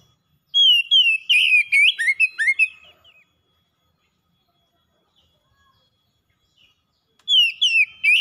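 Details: Pet oriental magpie-robin delivering energetic song meant to lure a silent bird into singing: a dense burst of sweet, downslurred and looping whistles, a long silence, then a fresh phrase of similar whistles.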